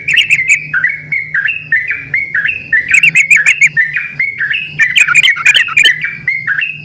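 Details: Yellow-vented bulbuls in energetic, answering song: stepped whistled notes repeated several times a second, punctuated by bursts of sharp, crackling chatter, over a steady low hum.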